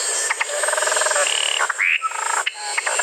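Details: Musician wren song: rapid buzzy chattering note trains mixed with a sustained pure whistle and a rising whistled slur, over a steady high hiss.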